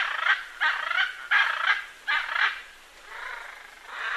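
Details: Macaw calling with a series of coarse, grating squawks, short bursts roughly every third of a second early on, then longer, softer drawn-out rasps toward the end.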